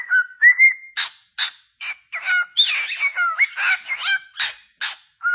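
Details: A lively mix from happily singing cockatiels: gliding whistles, short squawks and twisting, warbled notes follow one another quickly with scarcely a pause.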